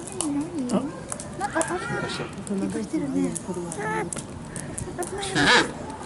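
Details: A 110-day-old king penguin chick at a zoo, 17 November 2018, gives wavering, trilled whistles rising and falling in pitch, with people talking nearby and a busy background hum.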